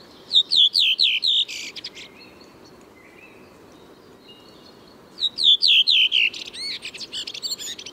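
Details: A Redwing (Turdus iliacus), a spring arrival in Moscow's Tsaritsyno park, sings two phrases about four seconds apart, each a run of five or six loud, clear, down-slurred notes ending in a scratchy twitter.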